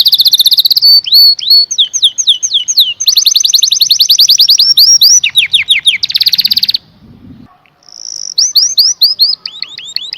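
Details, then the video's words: Canary singing loudly with mixed trills, rapid even rolls and sweeping whistles, a short quiet break, then falling slurred notes. "The most Beautiful Sound Of Canary - Canary Singing"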